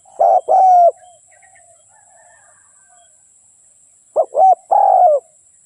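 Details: Spotted dove used as a decoy to lure wild doves for trapping: a loud cooing phrase of two short notes and a long drawn coo, then silence, then the phrase begins again near the end.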